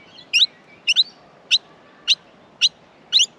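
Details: Nestling Australian miners begging while being fed: bright, piercing chirps, several doubled, repeating about every half second, with faint thin whistles between them.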